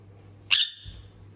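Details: An impatient sun conure, waiting to be fed hand-rearing formula, gives one short, piercing, raspy screech over a faint low household hum; Sun conure.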